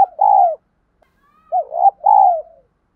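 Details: Spotted dove cooing in the 'thổ đồng' lure voice for training newly caught birds: a long falling coo, a pause, then a phrase of a short looped note and an extended mellow descending coo.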